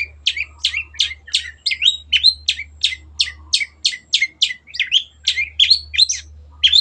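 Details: Long-tailed shrike singing a steady run of sharp, downward-sweeping chip notes, about three per second, with a few twisting whistled notes and a constant low hum underneath; intended for training pet birds.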